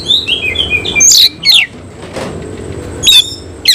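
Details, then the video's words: Cililin-type oriental magpie-robin in a cage, tail spread while singing; a few high whistled notes and sharp sweeps separated by a quiet gap. "Kacer langsung NEMBAK NGOBRA BUKA EKOR"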